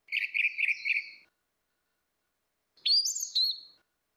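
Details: Orange-headed thrush female and male, loud ngeplong-style singing used as a lure: a burst of four quick warbled notes, a pause of over a second, then a sharp rising whistle with a trailing flourish.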